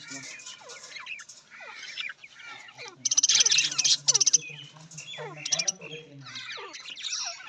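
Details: Budgerigar, an Australian parrot, giving rapid chirps and short warbling notes in a busy, irregular run, with brief loud harsh bursts midway and some faint background music.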